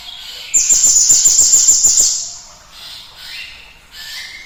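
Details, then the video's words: Cinereous tit song used as a lure recording to stimulate other birds to sing: a loud, high, thin sustained whistle with rapid rhythmic pulsing for about one and a half seconds, followed by fainter, softer high notes. "PANCINGAN TER-SUPER GLATIK BATU GACORNYA ISTIMEWA"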